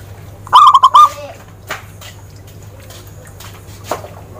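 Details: Zebra dove (perkutut) phrase: four quick, loud, slightly distorted coos early on, followed by several seconds of quiet rustling and faint clicks over a low hum.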